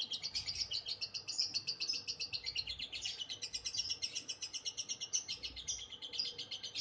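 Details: Long liyer konslet run by a lovebird, fast high chattering at about four notes per second that never breaks, over a low steady hum.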